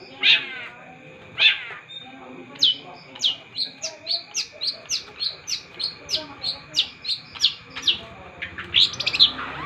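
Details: Long-tailed shrike in vigorous song: a few harsh rasping notes open, then a long, steady series of sharp, clipped notes repeated about three times a second, ending in a louder scratchy flourish.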